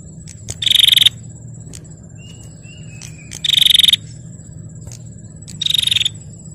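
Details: Female bar-winged prinia calling to provoke males: three rasping, fast-pulsed buzzes about half a second long, repeated every two and a half seconds, over a steady shrill whine.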